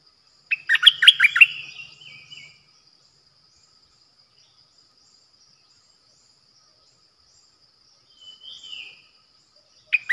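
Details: Bulbul: a decoy-call recording of a bulbul from Thailand, dated 8 May 2021. It gives a quick bubbling burst of chirpy notes, then a softer short phrase later, over a thin steady high whine.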